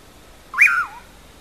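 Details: Single whistled note from a common pauraque (bacurau), the song rendered locally as "amanhã eu vou": a quick upward swoop that breaks into a slurred, falling, slightly buzzy ending, lasting about half a second in near silence.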